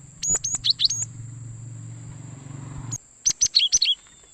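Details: Cinereous tit (gelatik batu) call used as a trapping lure for wild birds: two rapid runs of bright, high, sharp chirps mixing rising and falling notes, split by a low humming gap, over a steady thin whine.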